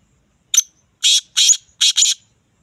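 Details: Black francolin, known locally as kala teetar or Sindhi teetar, giving a loud rasping call: one short sharp note, then four harsh, buzzy bursts in quick succession over about two seconds, against silence.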